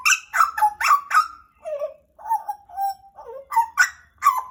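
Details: Pied butcherbird, a pet of about two years from Papua, Indonesia, delivers rapid rich warbled notes, some sliding downward, in quick phrases about half a second apart.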